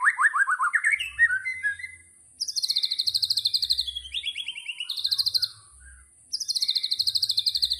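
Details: Murai batu, the white-rumped shama, in 'tembakan' delivery: descending rattling trills first, then a pause, then long runs of very high, rapid buzzy trills, each falling slightly in pitch and breaking off abruptly.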